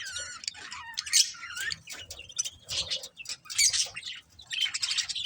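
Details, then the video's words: Budgies chattering and squawking: high, uneven chirps and buzzy warbles, some rising and falling in pitch, tumbling over one another without a steady rhythm. "Cute Budgies Chirping Sounds"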